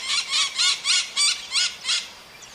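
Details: Maritaca parrot, a small bird with a strong voice, singing: six loud, harsh, broadband squawks repeated about every third of a second, then fading away.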